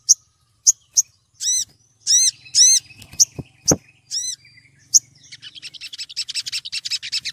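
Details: Olive-backed sunbird female calling a male, kept as a lure sound: separate sharp high tweets, then several short arched notes, ending in a fast run of about fifteen quick, even high chirps. A couple of low knocks sound in the middle.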